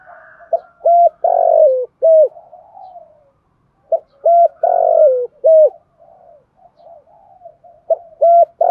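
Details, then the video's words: Decoy spotted dove with a 'thổ đồng' voice, calling to stimulate and train other doves; low hollow coos in phrases of two short notes, a longer swelling note and a final drop, repeated about every four seconds, with softer coos between. "tiếng Cu gáy mồi giọng thổ đồng hạp bổi kích mồi luyện bổi"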